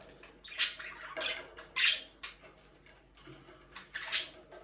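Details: Pet budgerigars, or parakeets: four short bursts of bright, scratchy chirps spaced about a second apart, with quiet gaps between them and a faint dripping, watery background indoors.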